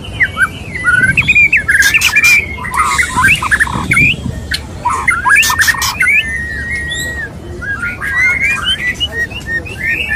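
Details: White-rumped shama male courting a female: bursts of harsh, scratchy, broadband squawks mixed with chattering whistled notes, in several loud phrases separated by brief gaps.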